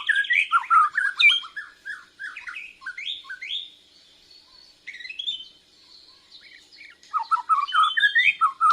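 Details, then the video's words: Young Bornean white-rumped shama learning its loud, continuous song while answering a lure recording, chest feathers fluffed; rapid varied phrases of chirps, slurred whistles and trills, with a quieter middle stretch before the fast, full-voiced phrases resume. "Murai Borneo Belajar Gacoorrr, Nyaut pancingan"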